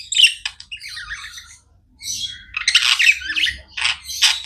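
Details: Several pet budgies chirping continuously, choppy high buzzy chatter and squawky notes in uneven bursts, one short lull before a louder, denser outburst; faint low hum behind.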